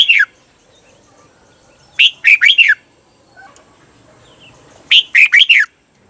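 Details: For training caged birds to sing doubled 'bernle' phrases, a red-whiskered bulbul gives crisp four-note whistled phrases, each note dropping in pitch, spaced about three seconds apart over a quiet background.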